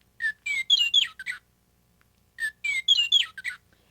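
Western Meadowlark song: a rich, flute-like phrase of about seven clear notes and gurgled slurs lasting just over a second, given twice.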